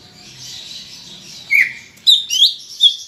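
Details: Greater green leafbird, a captive songbird singing loudly to prompt other birds to sing, giving a few sharp whistled notes and rising slurred phrases over a steady high hiss.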